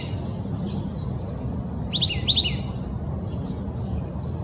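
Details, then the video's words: Oak titmouse singing in Old Torrance, Los Angeles County, California, on January 21, 2020: two quick bursts of clear, high whistled notes, three per phrase, with faint chips from other birds and a steady low rumble behind. "Oak Titmouse Song"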